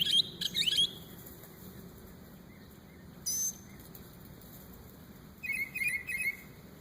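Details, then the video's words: A bird imitating assorted noises gives a burst of high squeaky notes, a brief hissing sound, and then a short trilled whistle sequence after a pause. "Crazy bird makes every noise under the sun"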